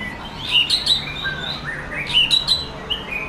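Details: Wild-caught white-rumped shama from Sumatra, a contest bird at a song competition ring in Bengkulu. Clear whistled phrases sliding between high notes, with two bursts about a second and a half apart, over steady background hiss.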